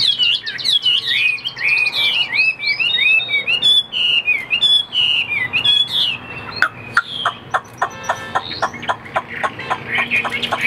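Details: Chinese hwamei delivering rich whistled phrases that soon give way to a string of short, dry, clicking notes, each repeated roughly once a second.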